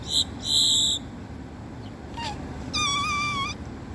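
Great-tailed grackle giving two harsh, rasping bursts, a short falling note, then a sustained, slightly wavering whistle. Steady background hiss.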